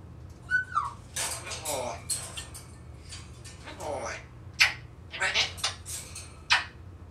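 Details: African grey parrot, a talkative pet indoors, mimicking a person calling out "Barack Obama": a short whistled slur, then scattered voice-like bursts and sharp clicks in a small room.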